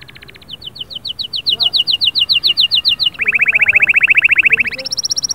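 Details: Canary singing to spur a quiet bird: a steady run of high slurred notes, then a fast low buzzing roll, ending in a sharper high trill, each phrase built from many quickly repeated syllables.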